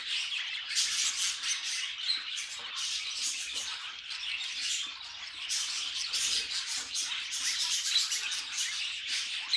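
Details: Several pet budgerigars warble and chatter, with rapid twittering phrases that swell louder in places and high squeaky notes throughout.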